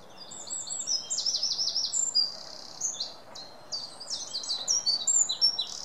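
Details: A wren sings fast, bright, high notes with a short rolling trill near the start, then a quick pause and a second rush of sharp twittering phrases.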